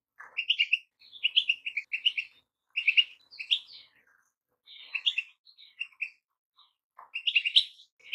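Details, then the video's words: Song of a goldfinch: clusters of liquid, twittering high notes in short phrases, with a couple of lower rasping notes and gaps of silence between bursts. "Goldfinches - amazing song"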